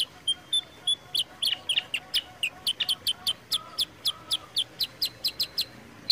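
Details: Sooty-headed bulbul (kutilang sutra), a clear, lively recording meant to prompt birds to sing: steady series of bright high chip notes, roughly four per second, with faint lower whistles in the background.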